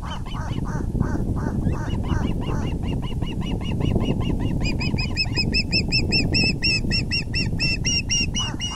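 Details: Nest of ospreys on an April 2020 evening, male bringing a big fish: lower, hoarser notes gradually rising into an accelerating string of bright, sharp chirps, roughly five per second, over steady low-pitched noise.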